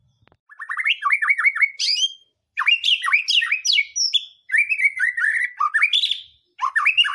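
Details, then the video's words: White-rumped shama song used to provoke other birds into singing; a quick series of repeated down-slurred whistles, then varied phrases of swooping, chattering notes broken by brief silences. "Pancingan murai batu mendongkrak keluar isian"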